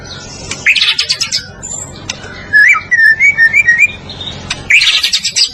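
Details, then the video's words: White-rumped shama of Medan origin in a master song for other birds to copy; bursts of high scratchy chatter bracket a series of clear whistled notes wavering up and down, with low background rumble. "Kicau Murai Batu Gacor Masteran Sang Juara ‼️Murai medan"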